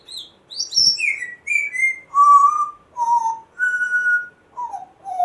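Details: Rescued pet African grey parrot, one month after rescue, making funny weird sounds: a run of clear whistled notes that step downward from high squeaky tones to lower mellow ones, with short gaps between.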